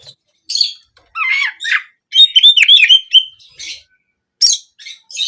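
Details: Oriental magpie-robin (kacer) song with canary-style bursts, played as therapy to get kept birds singing for daily practice or contests: scattered high chirps, buzzy trills and short whistled slurs in bursts with brief silent gaps.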